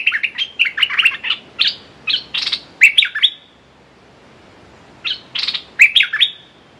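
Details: A decoy red-whiskered bulbul calls to draw in a territorial wild male. Clusters of sharp whistled chirps come in two bursts with a pause of about a second between them.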